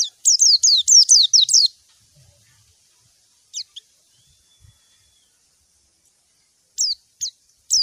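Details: White-eye calling a rival: a quick series of about seven descending sharp chirps, then long silence broken by a few isolated notes and a later short burst of similar downslurred chirps.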